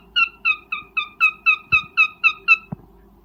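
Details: Breeding cockatiel mating call: a clear run of about ten short, bright, falling notes, evenly spaced roughly four per second, followed by a couple of low thumps against faint background hum.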